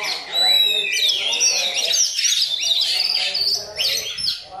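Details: Oriental magpie-robin singing a myna-style song learned from a tutor bird: loud, tangled run of sharp rising and falling whistles and harsh chattering notes, fast and unbroken, with a faint low hum beneath.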